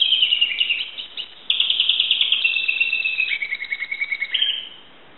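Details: Timbrado canary owned by a Greek keeper, recorded in 2009, pouring out a sustained high rolling trill, a brief drop, then renewed rapid pulsed rolls that slow into separate beats and fade.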